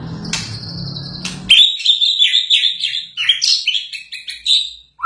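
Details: A White-rumped shama in full song after moulting: after a steady tone at the start, a rapid string of bright, warbled and chattering notes runs on for several seconds with quick changes of pitch.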